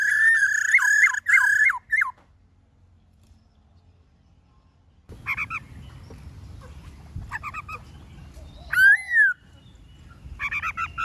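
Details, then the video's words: Black-throated laughingthrush wild-style song, played for training caged birds: a short series of dipping whistles, a long quiet pause, then scattered whistled phrases over a rising background rumble. "Khướu Hót giọng rừng NHIỀU GIỌNG"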